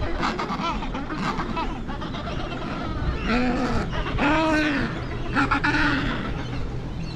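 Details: Adelie penguin young begging their parents for food, Devil's Island, Weddell Sea, Antarctic Peninsula; arched, wavering nasal squawks repeat several times after a rougher pulsed stretch, with colony noise behind.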